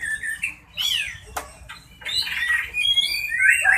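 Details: Murai Batu Medan, the white-rumped shama, sings a broken run of varied whistled phrases, some rising and some sliding, separated by short pauses and a sharp click; faint low background hum throughout.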